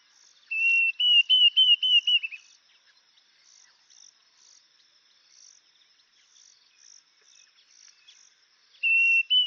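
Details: Diederik cuckoo giving a run of about seven clear whistled notes that climb slightly and then dip at the end. A quiet gap follows with soft high insect-like chirps, then a fresh phrase starts.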